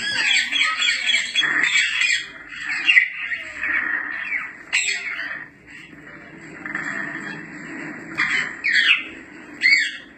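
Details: African grey parrot giving loud squawks and whistles, a sound meant to catch a pet's attention; a burst of harsh calls at the start, then separated sharp shrieks and rising whistled notes with quieter gaps.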